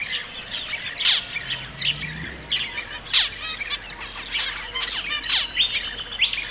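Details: Several zebra finches together: rapid jumble of nasal toots, clicks and buzzy notes, louder outbursts spaced a couple of seconds apart, faint wing flutters and steady background noise.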